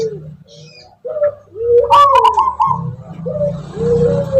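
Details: Zebra dove, a local wild bird of the Tuban tangguh strain with a characteristic rhythmic song, giving soft lower coos that rise into a louder, brighter warbled phrase, then settle back into gentle cooing over a low hum.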